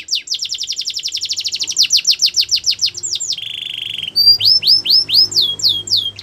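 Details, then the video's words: Canary song for training: a fast pulsing trill of sweeping notes, a brief low buzzy roll, then rising and falling whistled phrases, clear and loud throughout. "Canary song for training"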